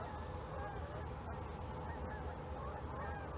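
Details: A flock of Canada geese flying overhead during a snowstorm, watched by a snowy owl, gives overlapping nasal honks in a steady, blurred chorus, partly buried under heavy low wind roar.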